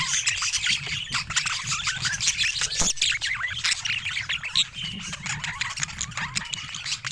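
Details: A dense flock of budgerigars twitters continuously: overlapping high, wavering chirps and warbles layered without pause, over a soft low background hum.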